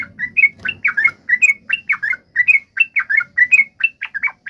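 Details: Yellow-vented bulbul provoked fighting call meant to make another bird respond, a rapid run of bubbly chirps rising and falling around the mid range, about one note per second, with faint low rumble beneath.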